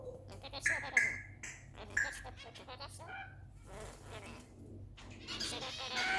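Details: Pet rainbow lorikeet busy talking indoors, chattering in rapid speech-like harmonic bursts broken by sharp bright squeaks near the first and second seconds, with a low steady room hum underneath.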